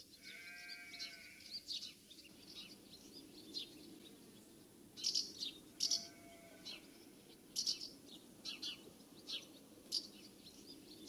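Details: Common house martins calling while flying around their nest site in summer in the UK; dry, buzzy chirps come in quick bursts through the second half, after a lower drawn-out harmonic bleating sound at the start and again near six seconds.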